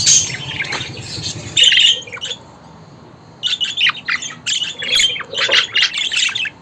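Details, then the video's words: Budgie chatter with a noisy squawky opening, a second of near silence, then a run of quick, choppy chirps and squawks in short bursts. "Muhabbet Kuşu Sesi!"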